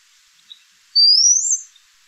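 Brown-headed Cowbird giving a single thin, very high whistled note that slides upward over about half a second, against a quiet background.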